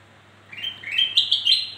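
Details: A black-crested bulbul gives a rising, stepped phrase of bright warbled notes, used to lure birds slow to sing; the phrase starts halfway through and climbs to a higher, sustained ending, over a faint low hum.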